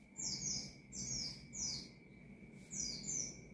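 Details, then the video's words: Oriental white-eye in ngalas-style song to provoke rival white-eyes, heard more distantly: five or so thin, high, downslurred phrases spaced about half a second apart over noticeable background noise and a steady hum. "Burung Pleci Gacor Ngalas Nembak Mangil Lawan,Memicu Emosi Pleci Bahan"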